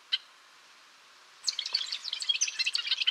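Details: After one sharp call note and a short silence, a golden-rumped euphonia delivers a fast, tumbling series of high, bright twittered notes.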